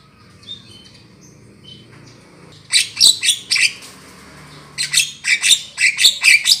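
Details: Trapping lure of Javan myna calls: faint thin whistles at first, then two bursts of harsh, clipped squawks, each burst of several notes repeated roughly twice a second.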